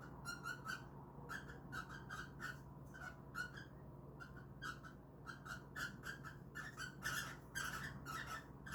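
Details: Indoor pet cockatiels trying to mate: busy, rasping chatter of clipped notes in rapid runs, briefly pausing, then growing louder and harsher toward the end, over constant low room hum.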